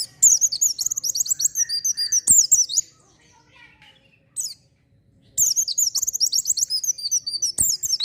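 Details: Vigorous oriental white-eye song to encourage untrained birds: long, dense runs of rapid, very high twittering notes, about two and a half per second, a short pause with a single chirp, then another sustained twittering run.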